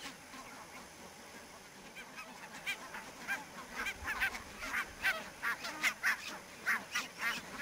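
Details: Barnacle geese in fog at Niittylahti, Savonlinna, Finland, on 2 October 2011: scattered short yapping barks build into a busier chorus of overlapping honks from a flock over the second half.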